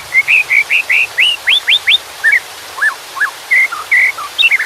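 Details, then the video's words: White-rumped shama song over a steady water sound: varied clear whistled notes around the mid-high range, some rising sweeps and downward slurs, delivered in quick succession with brief gaps. "Suara KICAU MURAI BATU dengan Suara Air"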